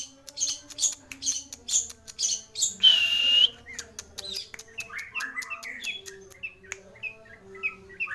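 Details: Long-tailed shrike, called cendet or pentet, in a varied song: high chirps, a sustained thin whistle, then sharp clicks and a run of busy, squeaky chattering notes.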